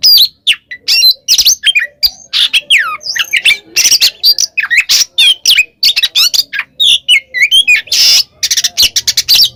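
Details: Oriental magpie-robin, described as calling a rival, giving a loud, fast, varied song of sharp whistles, harsh squawks and chattering notes, packed densely with brief gaps throughout.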